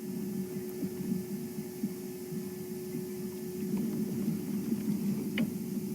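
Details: Steady low engine hum with a faint throbbing rumble and occasional light clicks, with no animal voice heard.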